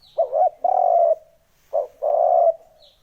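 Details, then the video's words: Spotted dove lure call: two phrases, each a rolling short coo followed by a long, even croo that trails off, separated by a short pause. A faint high chirp sounds at the start and again at the end. "Âm thanh kích chim cu gáy"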